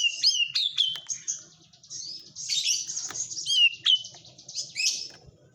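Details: White-rumped shama singing a song filled with kapas tembak phrases: loud, high whistled notes and sharp upslurs, dense chattering bursts between, steady low hum underneath.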